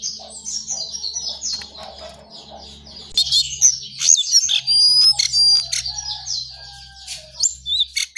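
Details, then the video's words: ['Early-morning song of a brown songlark: fast high twitters and scratchy notes, then clearer thin whistles rising and falling, over a steady low hum.'] "Jongkangan/cingcoang coklat Gacor Pagi Sekali"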